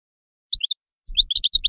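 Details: Goldfinch giving a few separate chirps, a short pause, then a quick string of sweet twittering notes.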